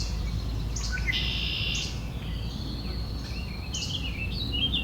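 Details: Several red-winged blackbirds arguing, giving a drawn-out buzzy call early on followed by a string of short rising chirps and squeaks, set against constant low background rumble.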